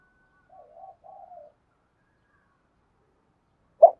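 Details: Spotted dove cooing, described as effective for stimulating decoy birds: two soft, low, burbling coo phrases of about half a second each, then a long silence and a short loud thump at the end.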